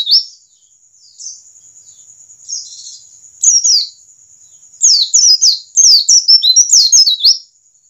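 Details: White-eye of the Indonesian pleci ngalas type, said to speed up other birds beginning to sing: scattered soft high notes build into two fast runs of sharp, descending chirps, backed by a continuous faint high whine.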